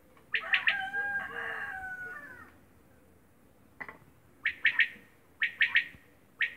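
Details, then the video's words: A quail in Romania gives sharp, liquid three-note calls, repeated about once a second, after an opening drawn-out, slightly falling phrase; low background rumble. "Quail sound"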